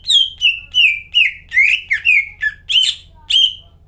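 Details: Greater green leafbird in energetic 'gacor' song used as a lure to get silent caged leafbirds singing again: nine loud, slurred whistled notes, each sliding downward with bright overtones, in quick succession over a faint low hum.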